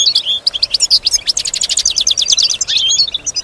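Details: European goldfinch song from a pet bird credited with imitating sounds around it: liquid twitters leading into a rapid, even run of ticking trill notes, then more tinkling phrases, clean with little background.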